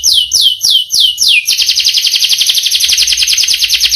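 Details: Canary singing a long roll: five slow descending whistled sweeps followed by a fast, continuous trill of short repeated notes, bright and high-pitched throughout.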